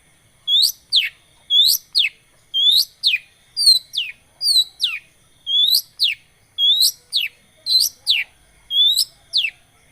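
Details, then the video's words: Long-tailed shrike recording meant to stimulate a silent shrike to sing: paired whistles, each a rising note followed by a steep descending one, repeated roughly once a second in an even pattern. "Pancingan Cendet Macet,putar 1detik dijamin pasti ikut gacor"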